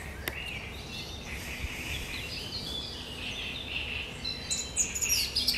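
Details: Great reed warbler on 1 July 2020 delivering its sharp, chattering song: a steady stream of harsh, scratchy chirps and trills at moderate volume, about three notes per second, over a faint background hiss with a few clicks.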